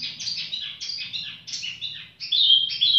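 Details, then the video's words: Varied high warbling from a tiểu mi bird singing at leisure, with jumbled twittering notes followed by clearer, stronger whistled phrases; a faint low hum sits in the background. "chim tiểu mi chơi lai rai"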